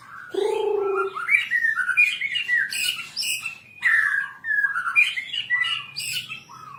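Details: Varied white-rumped shama song recorded as training material for captive birds: a low nasal note opens, followed by fast chattering, warbled phrases mixing whistles and harsher squawk-like notes.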